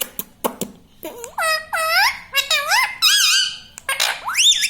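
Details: Household parrot voicing mummy papa: a few sharp clicks, then a string of scooping, voice-like harmonic syllables and a final rising squeal indoors.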